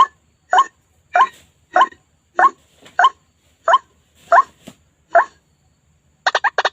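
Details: White-breasted waterhen lure call for trapping: evenly spaced, rising nasal notes roughly every two-thirds of a second, ending in a quick cluster of four sharper notes.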